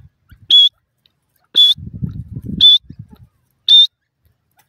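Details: Francolin (teetar) chicks in a forest, being fed by their parents, give short, pure, high whistled peeps about once a second, with soft low rustling between them.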